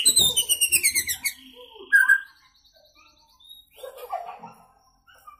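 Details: Young white-rumped shama, freshly moulted from juvenile plumage, singing from a single perch: a rapid run of repeated harmonic notes that fades, one sharp whistle, then soft scattered notes and quiet chatter.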